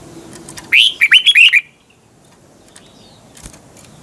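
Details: One quick run of five or six rising and falling whistled notes from a caged red-whiskered bulbul, a morning song in a twisting double voice meant to stimulate other birds, followed by near silence.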